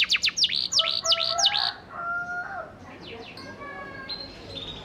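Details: Panda canary singing a lure song meant to get silent canaries to reply: a quick run of steeply falling whistled notes, then softer drawn-out tones and faint twitters fading toward the end.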